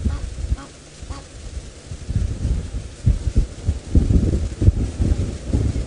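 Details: Outdoors during an afternoon drive, gusty wind buffets the microphone over a low irregular rumble, with no clear animal call.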